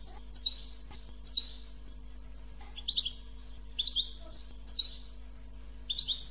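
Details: Goldfinch 'bitbita' song, used to stimulate goldfinches to sing: short, bright twittering chirps and high whistled notes in bursts about once a second, with some lower buzzy trills between them, over a faint steady hum.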